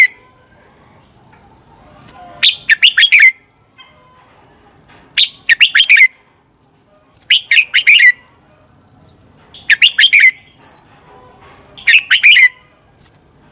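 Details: Red-whiskered bulbul delivering fighting song, intended to stimulate and train bulbuls to sing; five rapid, warbling phrases of chirpy whistled notes roughly every two and a half seconds, over faint background hiss.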